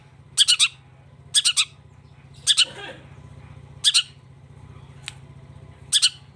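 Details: Harsh triple-note rasps from a long-tailed shrike, repeated roughly every second with irregular pauses, a faint rustle and a low background hum.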